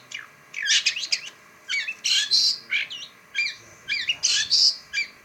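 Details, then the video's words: Caged shrike in song: harsh, scratchy squawks and short twisting chirps in clustered bursts, separated by brief pauses, over a steady low hum. "Ocehan burung pentet"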